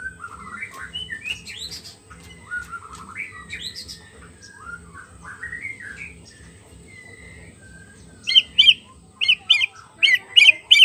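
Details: White-rumped shama singing as a lure for a silent bird: soft, varied whistled phrases rising and falling, then a burst of loud, sharp, repeated upslurred notes roughly twice a second near the end.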